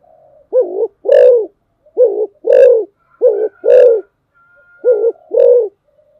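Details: Spotted dove, a fast-cooing bird, giving a rapid urging coo: pairs of low, hollow coos, a short note then a longer rounded one, repeated about every one and a half seconds, with a faint sustained tone between.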